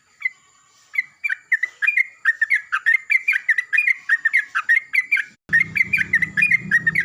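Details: Yellow-vented bulbul in a loud morning exchange with another bulbul, pouring out brisk, liquid chattering phrases; a low background hum starts near the end.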